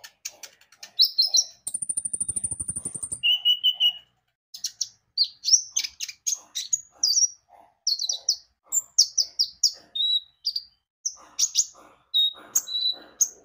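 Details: Lure recording of a Javan white-eye singing to get birds to sing: a long high buzzy trill and a lower trill open into rapid, varied twittering phrases that continue almost without pause.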